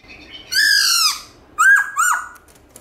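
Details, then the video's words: Black-throated laughingthrush giving its morning forest-voice song with switching tones. One long, loud, ringing whistle is followed by two sharp notes that rise and then drop steeply. "Khướu Bạc Má Hót Giọng Rừng ĐẢO GIỌNG Buổi Sáng Cực Hay"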